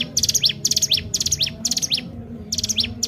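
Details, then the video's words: Sunda warbler in lively 'gacor' song used as a lure: four quick high trill-and-slur phrases, a brief gap, then the pattern resumes; low hum in the background. "cigun gacor tak main2× sangat cocok buat pancing 3m05i burung anda"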